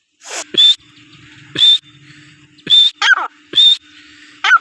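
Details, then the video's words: Iranian teetar (francolin) calling loudly, a high whistled note plus rasping descending phrases repeated about every second, over a faint steady low hum. "Teetar ki awaz| Teetar voice | Sound of Teetar |Iranian teetar ki awaz"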